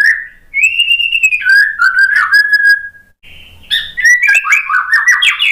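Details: White-rumped shama song used as a lure recording to prompt stressed, post-moult birds to sing. Rich, clear whistles include a long level note, then falling slurred phrases, a brief pause, and a fast run of varied rising and falling whistles.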